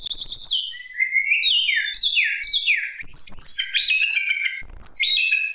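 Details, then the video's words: Lesser shortwing singing to lure other birds into song, a rich varied run of high whistled notes sliding downward in steps, with quick chirps and bright rising phrases in rapid succession. "Tledekan Gunung Mental Baja Gavmcor Memancing Burung Susah Bunyi"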